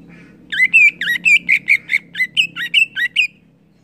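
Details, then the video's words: Greater green leafbird singing in the lively, open 'ngeplong' style, meant to spur other leafbirds: a run of about twelve loud, sharp whistled notes, each a quick upward flick, delivered rapidly at an even pace over three seconds. "Cucak ijo gacor Ngeplong"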